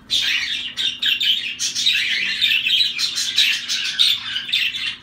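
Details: Dense, continuous chatter of zebra finches: quick, high, nasal beeps and chirps run together almost without a break, rising and falling in loudness throughout.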